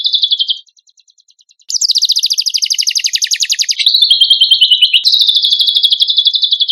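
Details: Cucak kombok (kecial kombok) singing in a compilation of champion-bird training song: dense high-pitched chattering and rapid buzzy trills, a short pause, then long runs of quickly repeated sharp notes and sustained shrill warbling phrases.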